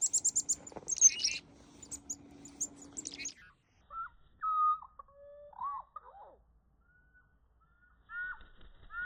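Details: Chickadee calls at a Conservation Area where the birds were being hand-fed on a walk: a burst of high, thin chirps over a low steady hum, then scattered short whistled notes, some rising, some falling.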